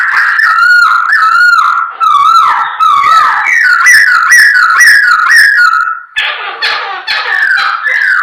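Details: Chinese hwamei belting out song to provoke other birds: a long series of loud whistled notes, each rising then dropping, repeated steadily for six seconds, then a harsher, raspier run.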